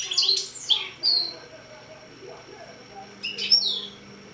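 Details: Six-month-old mule finch giving a few sharp, high whistled notes and chirps, some sweeping downward, in two brief groups with quiet between them.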